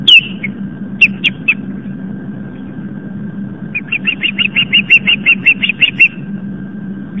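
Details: Evening intruder at an osprey nest on Long Island, New York, and the female chases it off: a few scattered whistled chirps, then a fast, even burst of about fifteen sharp notes, over a constant low drone.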